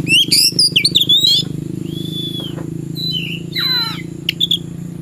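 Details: An oriental magpie-robin, ready to fight a rival in the afternoon, gives a fast jumble of bright whistled notes, then a flat sustained whistle and downward-stepping trills over a loud low hum.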